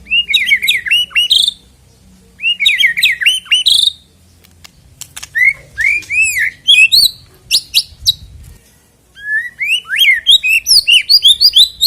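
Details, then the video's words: White-rumped shama song used as a lure to prompt singing before a songbird contest: loud bursts of looping, rising whistles and rapid chattering notes, in phrases separated by short pauses, over a faint low hum. "EFEKTIP AGAR CEPAT BUNYI BUAT PANCINGAN MURAI BATU JELANG LOMBA KICAU"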